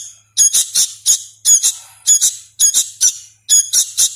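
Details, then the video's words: Young hand-fed sooty-headed bulbul still learning to call, giving rapid, insistent raspy squeaks in tight doublets about every half second. "suara asli kutilang anakan | burung kutilang loloh"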